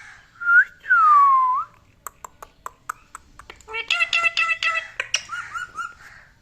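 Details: Pet parrot: a long falling whistle, then a string of sharp clicks, followed by rapid harmonic, voice-like chatter and short whistled notes in a small room.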